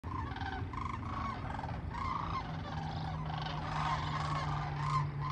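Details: Flock of sandhill cranes flying over, many birds giving rolling, rattling calls that overlap continuously, with a low steady rumble underneath.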